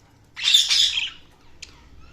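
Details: Pet budgerigars chirping: one harsh, buzzy, grating squawk of about a second, followed by a brief sharp chirp, with a faint low hum behind.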